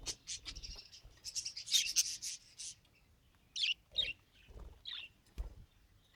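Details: Budgie trying to talk, giving a dense buzzy high scratchy warble early, then separate sharp chirps and squeaks after a short pause.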